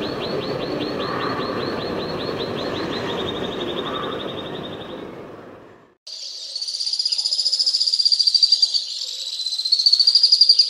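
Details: Several Alpine swifts recorded in Hérault, France, in July 2022: a fast high trill that slows and fades over a low rumble, then, after a break, a denser overlapping chorus of shrill chattering trills rising and falling.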